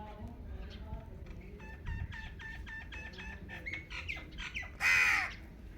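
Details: Indian ringneck parakeet producing a quick run of short, clipped, harmonic chattering notes that builds into one loud, raspy screech near the end, over low background hum.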